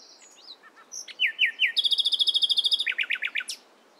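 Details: In the morning, a nightingale sings soft high notes, then three rising whistles and a fast, ringing trill of many repeated notes. The phrase ends in a few lower chirps.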